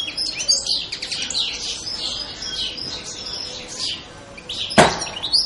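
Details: Carduelis carduelis twittering continuously: smeared, high, buzzy chirps running together in a lively stream, with one sharp click-like knock near the end.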